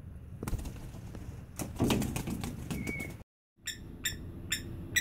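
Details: Blacksmith plovers (Vanellus armatus) in an aviary: sharp, metallic clinking notes from a blacksmith lapwing, about three per second near the end, after a noisy stretch of rustling and wingbeats.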